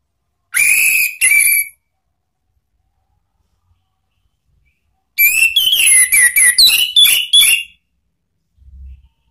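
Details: Orange-headed thrush, lure song for training caged birds in ngeplong and ngeriwik style: two short bright whistles, a long silence, then a rapid chain of about eight clipped whistled notes.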